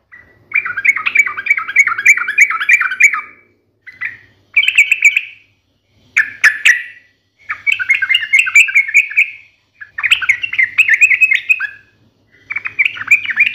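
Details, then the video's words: Yellow-vented bulbul in a chatty, fighting 'ngalas tajam tarung' song: six or seven separate bursts of fast, bubbling, slurred warbles mixed with harsh squawky notes, split by brief pauses. "KICAU SUARA trucukan gacor NGALAS TAJAM TARUNG ini MENJADIKAN burung trucuk gacor NYAUT SEKETIKA"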